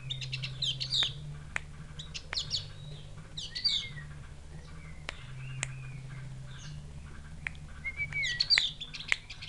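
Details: A Javan grey-throated white-eye from Mount Wilis, Java, makes a sound likened to a chick calling its mother. It gives bursts of high, thin chirps and short slurred whistles every second or two over a steady electrical hum and sharp clicks.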